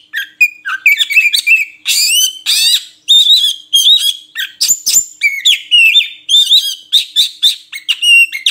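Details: An Oriental magpie-robin, locally murai kampung, sings quick sequences of warbled whistles, scratchy bursts and downward slurs, phrases strung closely together.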